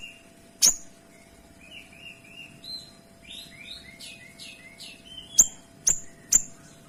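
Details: Kinoy singing richly, with clear, closely spaced shot-like notes: a loud sharp tick at the start, a run of short rising and falling whistles in the middle, then three more piercing ticks near the end.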